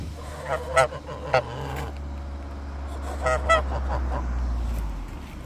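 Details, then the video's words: Guard geese, said to be more aggressive than watchdogs, giving a few loud, harsh honks spaced about half a second apart, then another pair of honks, over a steady low engine-like hum. "Vorsicht Wachgänse - agressiver als Wachhunde! Beware of the guard geese!"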